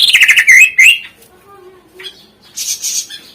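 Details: Greater green leafbird song for prompting birds that are reluctant to sing: a rapid, loud stream of slurred, rolling whistles, then a quiet low hum and a softer, high chattering phrase.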